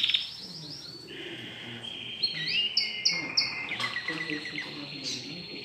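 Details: Domestic canary in training to sing, a newly arrived household bird, delivering varied phrases: sliding whistled tones, a rolling trill, then short clipped high notes in quick succession over low background hiss.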